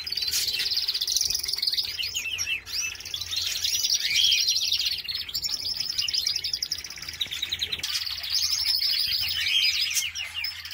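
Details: Canaries in a home aviary, several birds singing at once: dense, high-pitched rolling trills and rapid chattering phrases overlap almost continuously, with a short lull near the eighth second before the trilling resumes.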